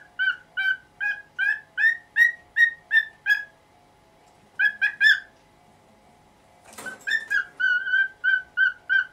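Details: Morning calling from a nineteen-year-old pet cockatiel that wants the cloth over its cage moved: quick series of bright, repeated squawks, a pause, a short burst, then a noisy rustle followed by more evenly spaced calls.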